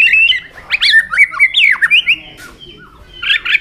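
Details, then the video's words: White-rumped shama singing while flicking its tail, a song used to excite newly caught shamas into fiery singing: varied rich whistles, sliding up and down, with a buzzy phrase near the end. "chòe lửa hót đánh đuôi.chòe lửa tạch kích bổi lên lửa hiệu quả"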